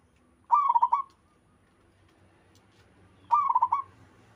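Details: Local zebra dove from the wild singing in full voice: two short bursts of fast, rolling, mellow coos, each about half a second long, set roughly three seconds apart with quiet between them.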